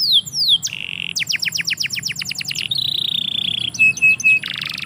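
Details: Yard canary pouring out song: two falling whistles, a rapid series of sharp downward sweeps, a steady rolled trill, then short repeated chips and a harsh buzz.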